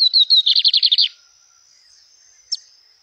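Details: Lined seedeater in nature delivering its song: a few bouncing whistles run straight into a fast, harsh, buzzy trill of about a second, followed by quiet and one brief sharp chip, with a faint steady high hum behind.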